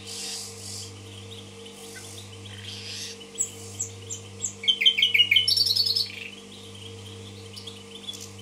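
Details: Common nightingale singing in Tashkent: scattered soft notes, then a crescendo of rapid repeated chirps forming a dense ringing trill around six seconds, before quiet returns over a steady low hum.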